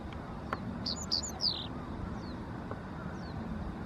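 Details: Japanese wagtail giving three sharp, buzzy, downslurred call notes in quick succession, then quiet, over low steady background rumble and faint distant chirps.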